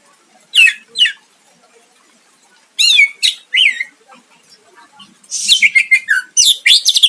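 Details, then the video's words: Greater green leafbird singing to provoke a rival, with pairs of downslurred whistles, then loud rippling buzzy phrases and a fast run of chattering notes at the end. "Cucak ijo gacor mancing lawan dijamin Nyahut"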